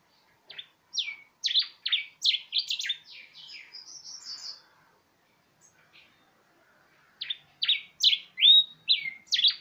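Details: Canary × yellow cardinal hybrid, recorded February 2019, sings a bright, high song of quick, sharply falling chirps, broken by a soft twittering run and a short pause.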